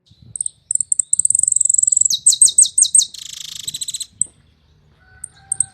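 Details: Several Argentine hooded siskins singing: a high, thin twittering run, then a series of rapid descending slurred notes and a buzzy rattling passage, ending in scattered sharp chirps.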